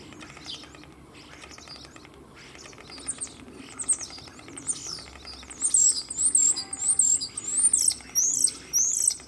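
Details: Two male common starlings singing in competition from a cherry tree in Germany, mimicking other animals; soft rattly chatter builds into loud, high, looping whistles repeated about once per second in the second half.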